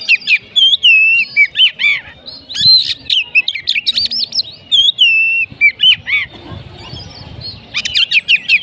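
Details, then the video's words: Oriental magpie-robin singing a dense, varied run of loud whistled notes, sliding warbles and sharp rapid chip bursts, almost without pause, with a faint low rumble beneath. "kacer macet auto konslet"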